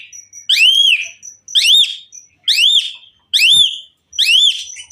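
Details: Asian pied myna in full song, repeating loud arched whistles about once a second, each swelling then dropping, over a thin high steady piping in the background.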